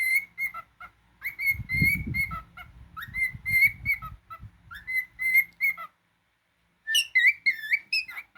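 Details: Pet cockatiel's steady stream of level and rising whistles, many notes repeated in quick succession, with low thumps and rustling beneath, then a short silence before a burst of wavering, higher whistled notes.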